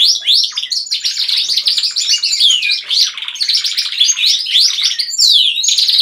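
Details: A flock of household canaries in full chorus behind a leading singer: loud, overlapping rolling trills and twitters, with a high falling whistled slide near the end.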